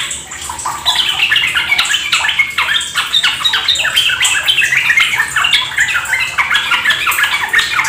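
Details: Trucuk, or Sooty-headed Bulbul, singing a fast 'ropel gacor' lure: rapid, overlapping squeaky and warbled notes pour out continuously after a quieter first second, backed by constant splashing-water noise.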